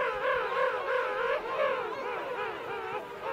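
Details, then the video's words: At Right Whale Bay, adult king penguins call at close range within a colony holding adults and chicks; rich harmonic, quavering calls repeat and overlap in a continuous wavering chorus. "King Penguin. CU Adults Calling. Colony Of Adults And Chicks."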